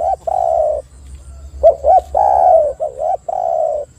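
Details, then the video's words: Spotted dove, a lure recording meant to make other doves call, giving loud cooing phrases: short rising coos followed by a long, drawn-out falling coo, repeated with brief gaps. "PANCINGAN TEKUKUR AGAR BUNYI dalam 1 menit"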